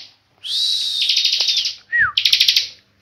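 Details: Bar-winged prinia, a tame pet bird, singing ngebren: a drawn-out arched whistle merging into buzzy trill, a short break, a clear falling whistled slur, then another burst of fast trilling.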